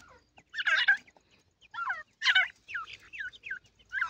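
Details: Francolin chicks calling during play: busy overlapping high peeps and bent, downward-curving chirps repeated irregularly, with some harsh buzzy notes mixed in.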